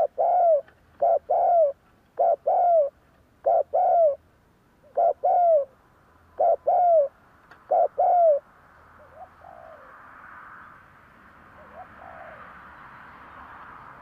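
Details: Spotted dove cooing, a lure recording meant to make other doves coo back: a short double note then a longer falling coo, repeated about every 1.5 seconds for six phrases, then fading into a soft background hiss.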